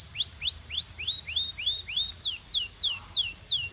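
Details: Canary singing a training song: slow arched whistles, first rising then falling, repeated about three times a second in a clear, unhurried sequence.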